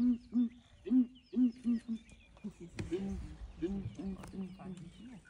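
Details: Ground hornbills booming in the morning as a breeding herd of elephants investigates: loud paired deep hoots repeated in bursts, then softer answering booms at a lower pitch, with a sharp knock and faint bird twitters.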